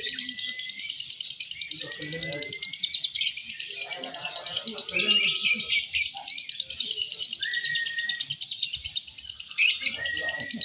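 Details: Lovebirds (Fighter, Balibu birds M1 and M2) chattering during a bird-singing competition: a long, rapid, unbroken stream of high twittering with sharp shrill notes cutting through and faint voices of people behind.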